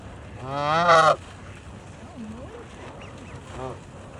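A Canada goose gives one loud, nasal, slightly rising honk, followed by a few fainter, softer calls and a brief high chirp in the background.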